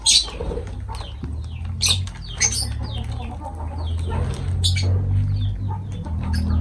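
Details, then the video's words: Lovebirds feeding and chattering, with bursts of sharp, high, downward-sweeping chirps repeated unevenly against a steady low hum. "Love birds voice sound"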